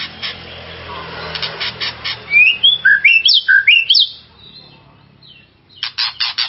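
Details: Provoking song of a white-rumped shama, used to excite another shama: a fast run of loud, rising-and-falling whistled notes about two seconds long, framed by harsh, scratchy bursts and a faint steady background hiss.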